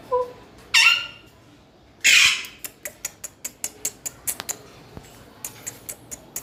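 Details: Pet parrot calling: two loud harsh broadband squawks, then a run of short sharp clicks or taps repeated quickly over several seconds.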